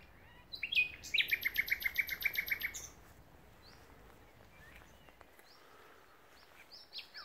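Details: Common nightingale singing at Pulborough Brooks RSPB reserve: a rapid series of loud, pulsing repeated notes lasting about two seconds, followed by quieter scattered high chirps against a soft rural background.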